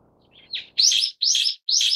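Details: Brown-eared bulbul of the subspecies harterti, with a short rising note followed by three loud, harsh, buzzy notes about half a second apart.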